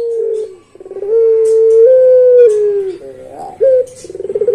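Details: Melodious long song of a puter pelung, the Barbary dove: a brief rough opening, then a long smooth coo held for nearly two seconds that steps up slightly and falls away, followed by quick pulsed notes.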